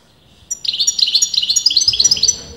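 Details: Goldfinch whose sex has top breeders disagreeing, delivering a fast run of bright repeated high notes, evenly pulsed like a tinkling trill, lasting about two seconds.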